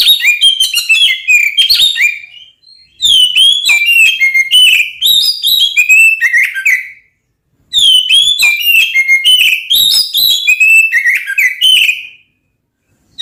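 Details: Oriental magpie-robin singing to provoke rival magpie-robins into fighting: loud phrases of clear rising and falling whistles with sharp chips, in bursts of about three seconds separated by short silences.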